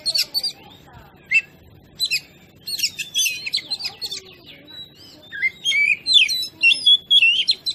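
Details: Kacer, the oriental magpie-robin, in a training recording to make other birds agitated: clipped chirps build into a lively run of varied whistles and twisting slurred notes, growing denser toward the end.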